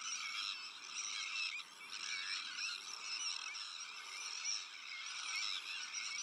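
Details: Crowded Sandwich tern breeding colony, also home to black-headed gulls, Arctic terns and common terns; loud, harsh overlapping screeches and rasps form a dense, high-pitched clamour with a brief dip midway.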